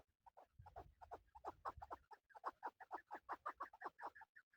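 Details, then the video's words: Male chukar partridge used in hunting gives a rhythmic string of harsh, clucking chuck notes that grow louder and more even, with a low rumble of background noise in the first two seconds. "Male chakoor shikar kekliksesi"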